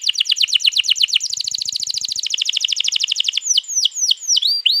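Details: Canary 'ngerol panjang' long roll for prompting canaries to sing, recorded 21 April 2022: quick staccato chirps speed into a steady fast trill, followed by several loud downslurred whistles.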